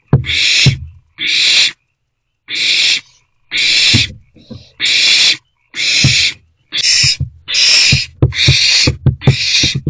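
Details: Three owlets in a nest box on 13 April 2024, recorded between 1 am and midday: harsh, breathy hissing screeches, about ten bursts each under a second long, coming roughly once a second, with soft low thumps and shuffling underneath.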